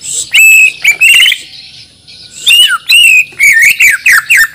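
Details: Borneo white-rumped shama from Banjar, a caged songbird being prepared for a singing contest, belts out loud, sharp whistled notes and rapid trills in bursts, with a quieter gap midway.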